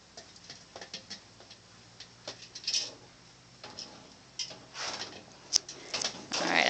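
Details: A one-year-old female bare-eyed cockatoo gives short, raspy, voice-like bursts imitating a spoken "hi", her favourite word, while her owner talks to her nearby.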